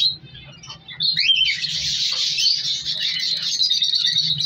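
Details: African color lovebirds in a captive breeding colony: a few separate squeaks, then a rising whistled squawk launching into dense continuous shrill chatter from many birds, with low humming below.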